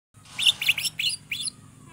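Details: Greater green leafbird (cucak ijo) singing in the lively 'gacor njegrik' style: a quick run of sharp, chirpy, bouncing high notes in short bursts, with a faint low hum underneath.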